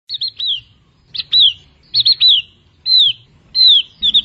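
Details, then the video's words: Javan grey-throated white-eye singing steadily: short high whistled notes, some doubled and stuttering, others slurred and falling, in phrases spaced about a second apart with faint low background rumble. "Burung Opior Jawa, burung opior gacor"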